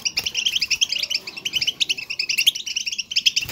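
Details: European goldfinch batbata twitter meant to prompt a pet goldfinch into natural singing; a fast, busy stream of bright tinkling chirps, with faint clicks at the start and end.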